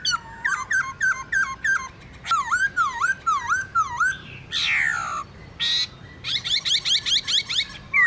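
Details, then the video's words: Laughingthrush wild-style song used to stimulate caged birds: clipped chirps, a series of dipping whistles, two harsh scratchy bursts, then a fast run of bright repeated notes. "Khướu Hót giọng rừng KÍCH BỔI HÓT"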